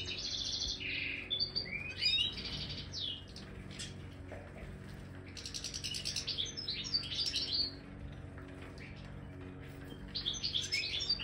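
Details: Goldfinch of the Major type in an aviary singing in separate bursts of twittering and buzzy trills, with quiet gaps between phrases and a soft low hum throughout.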